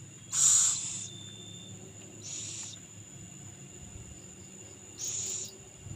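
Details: Owl feeding its young, giving three separate rasping hiss bursts spread over six seconds, the first strongest. Soft background hum and faint insects fill the gaps.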